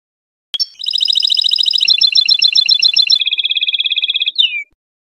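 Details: Tunisian European goldfinch song: a sharp opening note, then long fast runs of bright rapid trills, the first buzzy and stacked, the next a steady rattling series, ending in a short slurred twitter.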